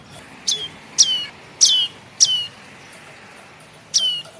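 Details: Chick of the red-headed tailorbird (prenjak kepala merah) begging, used as a trapping lure: a run of four harsh falling chips, then a pause of over a second before one last squeaky note; soft hiss underneath.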